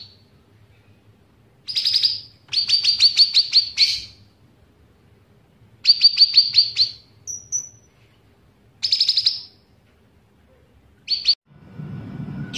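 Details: Caged bulbul trained to mimic other birds: bursts of rapid, high ticking notes in rattling series, a short thin whistle, and sharp chips separated by pauses, with a low background hum and a brief rustle at the end.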